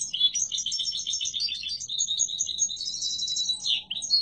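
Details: Strong song of a yellow mutation goldfinch: a continuous, rapid stream of liquid twittering notes and bright trills, dipping briefly near the end before a final burst of chirps.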